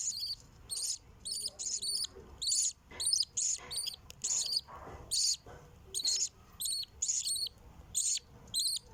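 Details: Nestlings begging while their mother feeds them: repeated short, piercing, high-pitched squeaky bursts arriving in a fairly steady series about once or twice a second, with faint background noise.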